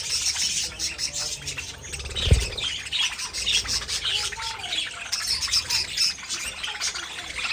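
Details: Several pet budgerigars chirp and warble in a busy high chorus; a single dull thump sounds partway through, and the chatter continues with short squeaky notes.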